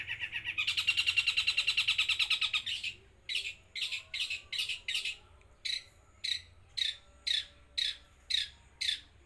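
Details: Long-tailed shrike, eight months old, from Jember in East Java, singing imitated phrases: a long fast rattling trill followed by a series of short sharp notes repeated about every half second, with faint low hum behind.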